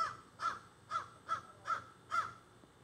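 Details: Crows squawking from trees beside a garden, phone recording; a regular series of six short, hoarse caws spaced about half a second apart, clear over a quiet background.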